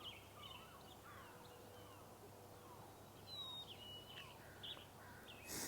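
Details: In a marsh on a Sunday morning, one of a likely pair of Black-capped Chickadees sings a clear, whistled fee-bee, high falling to low, amid faint other birds, steady hiss and a rustle at the end.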